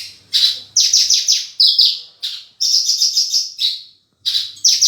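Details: Horsfield's bush lark singing gacor with full isian: bursts of rapid, high chirping notes in quick descending runs, split by short pauses, with a faint low hum in the background.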